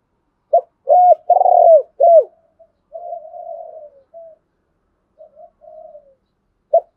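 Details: Spotted dove call, male and female, meant to goad a wild rival dove to fight. A strong coo phrase of a brief note, level hoot, purring roll and falling coo, then quiet drawn-out coos and a final short note.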